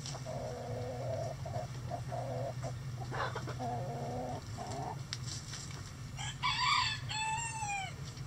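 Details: Chickens in a coop scratching and relaxing, softly clucking in short repeated notes, followed by a brief loud rooster crow with falling drawn-out notes, over a steady low hum.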